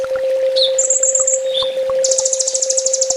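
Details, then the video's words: Sunbird master song for training a caged bird: a few high whistled notes, then a long rapid trill of repeated high notes, over a steady electrical hum. "Suara masteran burung kolibri ninja full tembak"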